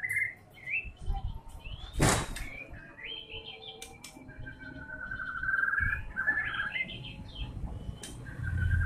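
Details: White-rumped shama delivering varied whistled phrases, some slurred and some warbled, with one sharp knock partway through and a low rumble in the background.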